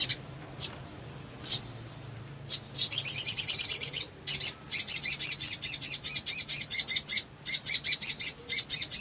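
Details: Agitated, wing-fluttering black sunbird used as a lure for silent birds: a few thin high notes, then a long stream of fast buzzy chips in bursts with short breaks.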